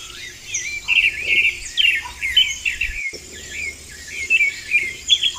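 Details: Vermilion flycatcher in the wild singing bright, high twittering chirps and short rising notes in quick, uneven bursts, over a faint insect hum.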